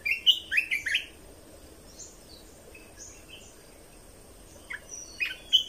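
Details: Bulbul song meant to teach young birds and excite them, red-whiskered bulbul: a burst of three loud chirpy whistles at first, quieter twittering in the middle, then several sharp notes near the end.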